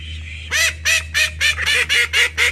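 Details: Call ducks, one of a household flock of thirteen, giving loud nasal quacks in a steady series of about three per second after a short quiet start, each call rich and bright, over a constant low hum.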